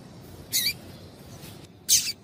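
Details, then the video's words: Calls of a female double-collared seedeater, meant to stir a male to sing: two short, bright, high chirps about one and a half seconds apart, with quiet background noise between. "Piado de Fêmea de Coleiro para Esquentar Coleiro"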